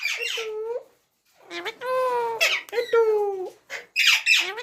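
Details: Ringneck parrot producing drawn-out, tonal, voice-like notes with a bent, wavering pitch, broken by harsh high squawks near the middle and end.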